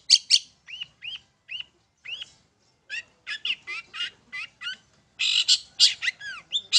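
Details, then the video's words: Long-tailed shrike song used to provoke birds into singing, delivered from a single perch: harsh scratchy bursts, a series of short rising whistles spaced about half a second apart, then dense chattering phrases. "PANCINGAN TERBAIK!!! CENDET MAIN SATU TITIK"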